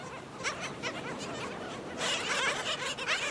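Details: At St. Pete Beach, Florida, an adult black skimmer feeds its chick; short nasal yelping notes, sparse at first, then a louder dense burst in the final second, with constant beach noise behind.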